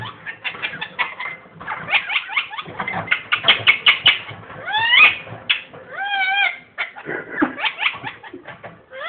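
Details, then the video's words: Pet ringneck parrot laughing: fast bursts of sharp, clicky chattering notes broken by a few rising and falling whistled squeals, with a person speaking softly in the background indoors. "ringneck parrot laughing crazy"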